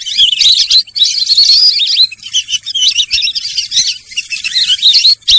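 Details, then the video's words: Shrill Sarail bird twittering: a steady stream of quick high chirps, trills and upward-sweeping whistles, packed closely together with a few short breaks. "সরাইল পাখির ডাক"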